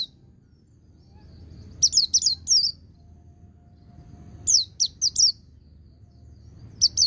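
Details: White-eye (pleci) song in the ngecir sambung ngalas style, played to stimulate untrained birds: two bursts of three to four sharp, high, downslurred whistled notes separated by pauses, ending with two more notes, over a faint low hum.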